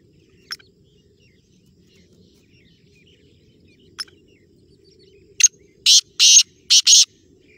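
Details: Black francolin (kala tetar) calling: after two isolated sharp ticks, a burst of five loud rasping, noisy notes delivered rapidly in a grating rhythm over about two seconds, quiet background otherwise.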